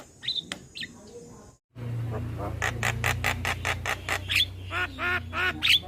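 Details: Male Javan myna calling companions as a lure: a few scattered whistles, a brief break, then a steady run of harsh rasping notes with squeaky upslurs over a steady low hum.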